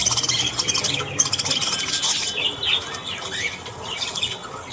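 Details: Budgies, the Australian parakeet, heard in the morning: fast scratchy chatter at first, then clearer rising and falling whistled chirps repeated quickly as the chorus thins.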